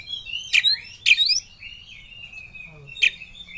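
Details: Oriental magpie-robin (kacer) in ngobra mood, seeking a rival. Two quick harsh upslurred notes are followed by a thin, drawn-out whistle, then one more sharp note near the end.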